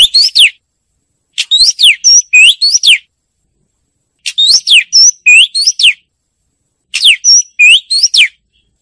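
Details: Oriental magpie-robin repeating a short phrase of quick, high, chirpy whistles with downward and upward sweeps, delivered in three similar bursts of about a second and a half each, separated by brief pauses.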